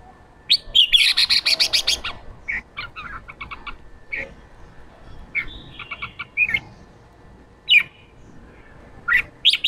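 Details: Male red-whiskered bulbul, newly caught from the wild, in fiery singing mood in the chào mào ché style. A buzzy rattling burst is followed by scattered chips, clipped stuttering phrases and sharp whistled notes spread across ten seconds.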